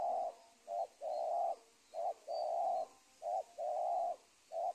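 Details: Spotted dove cooing at the edge of a teak plantation: soft, hollow mellow notes, short ones alternating with longer drawn-out coos, about eight in under five seconds, over a faint background hum.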